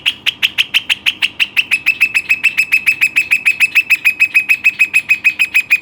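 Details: Western rock nuthatch, a pet bird, giving an even, rapid series of sharp piping notes around three per second, starting slightly higher and settling to a steady pitch.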